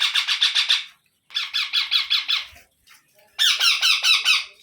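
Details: Indian ringneck parrot parent feeding its chicks one after another with regurgitated food: three bursts of fast, harsh, rhythmic rasping pulses, six to eight pulses each, separated by short pauses.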